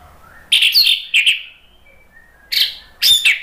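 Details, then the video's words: Orange-headed thrush, known in Indonesia as anis merah, singing as lure audio meant to provoke caged birds into replying. Rich, loud warbled phrases come in bursts, separated by a soft, thin, level note and short pauses. "SUARA ANIS MERAH bikin EMOSI jadi NYAUT NGEPLONG"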